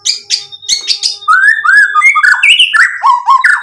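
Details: A gacor white-rumped shama pours out varied mimicked material: several sharp high chips, then a rapid run of warbled whistled notes stepping up and down in pitch.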